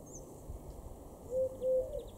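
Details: Eurasian collared dove in a garden in Weener, East Frisia, northwest Germany, June 2021: two steady, hollow, low coo notes close together late in the clip, the second longer, over faint high bird chirps and a low background rumble.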